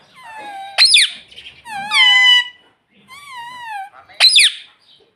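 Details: Pet talking parrot (tota) saying 'mummy': high, squeaky whistled syllables with bending pitch, repeated in short bursts with brief pauses, indoors.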